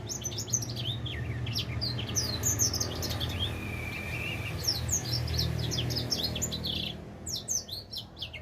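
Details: A four-month-old edel sanger finch begins its song with quick bursts of high chirping notes and a short level whistle, over a constant low hum.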